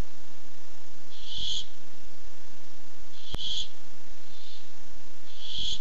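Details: Barn owl looking for food, 8 July 2015, on a nest camera: broad rasping hissed screeches, four bursts with one fainter, spaced one to two seconds apart, a sharp click between them.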